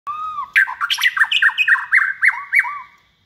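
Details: Captive second-season white-rumped shama, hand-raised from a nestling and kept for singing competitions, delivers a rapid string of sharp whistled notes near the same pitch, each with a short upward flick, after a brief curving whistle.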